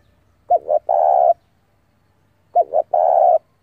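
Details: Two clear coos from a spotted dove decoy calling rivals in to fight, each phrase two brief notes then a longer steady hoot, two seconds apart.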